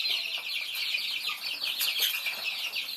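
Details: Baby Thai chicks feeding, a crowd of chicks giving constant high, rapid peeps that overlap into a busy chirping chorus, with soft ticking of pecking beneath.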